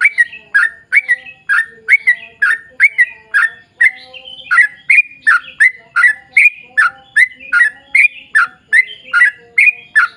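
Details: Bulbul lure song from a sooty-headed bulbul in 'ropel panjang' style: continuous chattering run of bubbly, down-slurred notes at a brisk even pace, with a thin low tone faintly present throughout.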